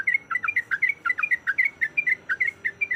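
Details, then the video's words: Rapid 'ropelan' chatter of a breeding-condition female yellow-vented bulbul calling for a male: quick bubbly two-part chirps, dipping then rising, tumbling steadily for three seconds over a soft low background hum. "Suara Ropelan Trucuk Gacor Yang Ngotot Memanggil Lawan"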